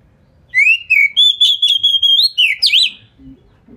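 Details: White-rumped shama (kacer) lure song intended to provoke other shamas; rising whistle opens a series of rapid pulsed notes, closing with sharp zigzag slurs, low murmur faintly behind.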